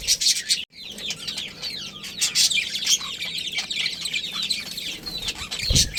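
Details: A budgerigar colony with a breeding pair fills the air with steady, overlapping warbles and chirps plus scratchy squawks, with little pause throughout.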